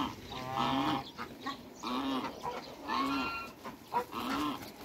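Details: Backyard recording of a couple of African geese kept among other waterbirds. Drawn-out, reedy honks come about once a second, with short clipped notes in between and light background noise.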